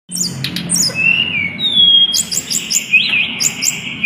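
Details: Mountain tledekan song used as a lure to prompt other birds to sing: rapid high chirps and downslurred notes, then a long thin whistle and quick warbled phrases, loud and close over a low hum.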